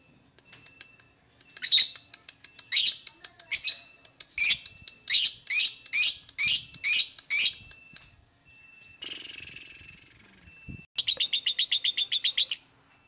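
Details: Lovebird singing, used to coax other lovebirds into song: bursts of loud, high, scratchy chirps in an uneven series, a drawn-out buzzy hiss, then a fast, even rattle of short notes.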